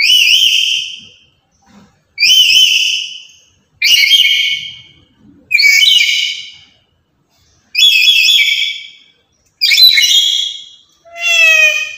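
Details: Lory described as very talkative, loud and active every day, kept as a lure and master bird for other lories; loud harsh screeches about every two seconds, the last one more tonal and ringing.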